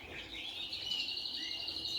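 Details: A young male canary or finch in a birdroom in August, ahead of the annual moult, chitters in a high, scratchy, unformed practice song while learning it from his parents.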